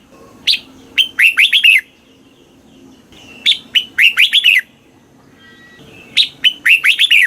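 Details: Caged red-whiskered bulbul in Thailand singing the southern master phrase, used to stimulate birds and train youngsters: three repeated phrases of sweet, rising-and-falling whistled notes, each opening with a sharp note and rolling into a quick tumble.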